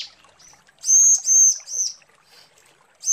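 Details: Calling for the male, a female bar-winged prinia gives three high, steady whistled notes in a row, each about a third of a second long, then a fourth after a pause.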